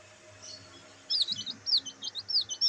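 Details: Black bantam chicks enjoying sunlight give rapid high-pitched chirps, short peeping notes repeated quickly in the second half, over a low steady background hum.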